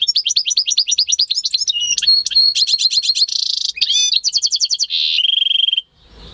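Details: Goldfinch-canary mule bred by its keeper, recorded on 11 and 13 May 2015, delivers a loud, continuous song: fast rolling trills, buzzy held notes and bright whistled slides follow each other without pause.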